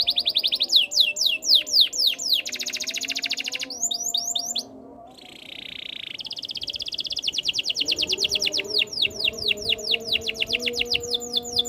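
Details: Canary song for encouraging other canaries to sing: fast swept trills and buzzy rolls, a short gap, then a lower steady rolling tour. Rapid sweeping notes repeat nearly twice a second to the end.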